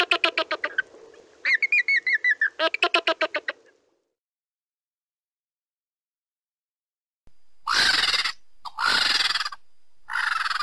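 Greater flamingos give quick, goose-like honking chatter in rapid bursts, followed after a pause by a few harsh, rasping blasts.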